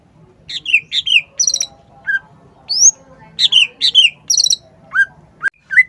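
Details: Cucak ijo in full voice: paired downward-slurred whistles, quick chirps and rising notes in a rich, varied, rhythmic phrase over a faint hum.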